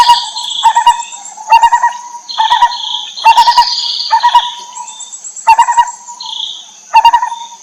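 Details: Lineated barbet (Psilopogon lineatus) mother feeding her chicks: mellow hooted notes repeat about once a second, mixed with higher squeaky chirps from the young, while a steady high insect buzz runs throughout.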